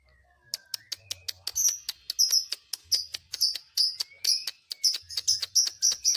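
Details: Lovebird chatter meant to provoke other lovebirds: a long series of sharp, high, clicking chirps, roughly three to four a second, with some brighter buzzy notes in between and a faint low hum underneath.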